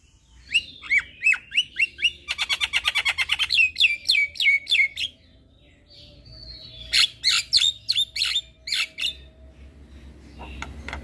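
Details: Javan myna (jalak kebo) singing: rapid sharp chips and slurred whistles, a fast rattling trill, a short pause, then another burst of loud chattering notes.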